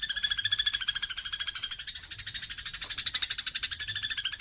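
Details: House sparrows fighting, recorded as a training track for songbirds: a dense, rapid run of harsh, buzzy chirps, roughly nine to ten per second, continuing steadily throughout with slight swells in loudness.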